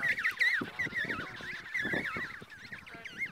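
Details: Emperor penguin on the ice near Snow Hill Island, a shy, curious bird approaching a person sitting still; a long, quavering warbled call with rapid pitch wobbles runs almost continuously, with a few soft thuds beneath.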